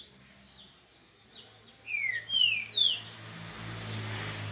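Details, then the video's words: Three bright whistled notes, each dropping in pitch and spaced about half a second apart, from a grego-style papa-capim of Minas Gerais, heard over a low hum and rising background noise. "Papa capim grego de minas"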